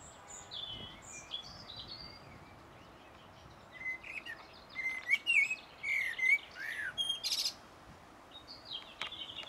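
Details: A common blackbird on 1 June 2016 sings beautifully, a short run of mellow, fluted whistles breaking into thin, squeaky twittering, with faint high calls from other birds behind.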